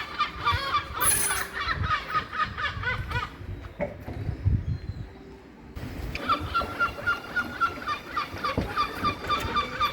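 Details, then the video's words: Gulls calling in a noisy flock: harsh nasal cries and yelping notes repeated rapidly, with a brief lull midway before the clamour resumes. "Seagull Calling"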